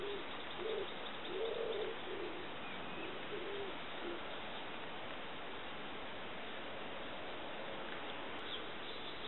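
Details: A singing little bittern (Ixobrychus minutus) on the plain of Forez, Loire, France, in May 2012 gives a few deep, muffled, croaking hoots in the first few seconds, low in pitch, over a steady background hiss.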